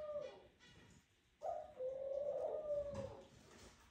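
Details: Male Eurasian collared dove in a courting pair, calling the hen to the nest: a quieter, single drawn-out moaning note lasting about a second and a half over a hissy background.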